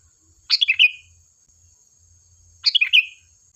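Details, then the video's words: Lively sooty-headed bulbul singing, meant to draw replies from other birds: two short gurgling phrases about two seconds apart, each a tumbling run of four bright descending notes, with a constant high-pitched whine behind. "Suara burung Kutilang Gacor"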